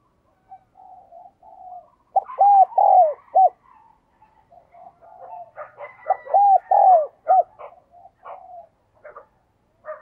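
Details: Decoy spotted dove repeats a phrase of loud arched low coos twice, with soft murmuring between and scattered chirps from other birds in the background.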